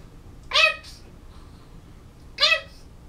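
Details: Pet African grey parrot indoors, November 2011, practicing words: two short, loud, nasal cat-like calls about two seconds apart, otherwise quiet room.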